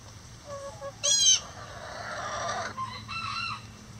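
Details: Chickens in a coop: a short sharp high squawk, then a drawn-out rooster crow with a steady tone, followed by a couple of lower clucking notes and a constant low hum.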